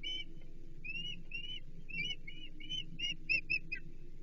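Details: Osprey at a Chesapeake nest during feeding, 15 April 2024: repeated short, high, slurred whistled chirps, several per second, growing slightly louder toward the end, with low background hum.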